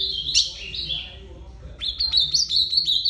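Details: Ultramarine grosbeak giving a short descending warble, a brief pause, then a rapid string of sharp, bright chipping notes at an even pitch.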